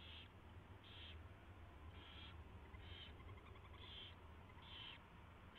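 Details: Nesting owl at 4:21 AM on 24 February 2016, with a mouse delivered and fed. Six harsh, noisy hisses repeat roughly once a second, slightly uneven, with faint scratchy rustling between them.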